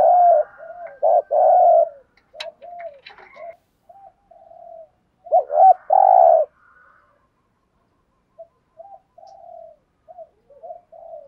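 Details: Decoy spotted dove coos repeatedly to draw wild doves into answering: loud hollow coo phrases, short clicks, and softer coo notes in between, ending with quieter scattered coos.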